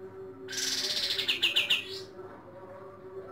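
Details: At dawn, a White-rumped shama gives a loud, high burst of rapid, stuttering notes, about six in a second and a half, over a faint low hum.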